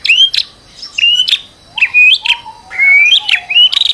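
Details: White-rumped shama song as a stressed-bird lure meant to make another bird sing, made of clear whistled notes that slide upward, broken by harsh buzzy bursts and brief pauses.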